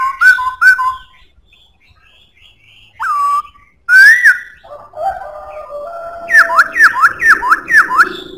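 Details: Black-throated laughingthrush in full song with a strong voice: two-tone whistles, a falling note, a rising slurred whistle, low mellow held notes, then a fast series of bright, downward-sweeping whistles.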